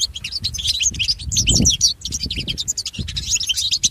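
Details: European goldfinch, recorded for training pet goldfinches, delivers a fast, unbroken stream of high tinkling and chattering notes, with a low rumble in the background.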